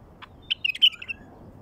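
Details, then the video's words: Wild bulbul song used to start wild bulbuls singing: a short, rich whistled phrase of rapid liquid notes, after a single soft chip, in near silence. "تغريد بلبل وحشي لفتح البلابل الوحشية"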